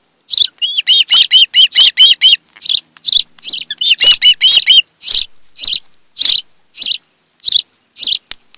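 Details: At a Kent Island, Maryland nest, an osprey couple calls on a July 2018 afternoon, caught by a nest cam: a fast burst of arched whistled notes, then a string of sharp, high, evenly spaced chirps.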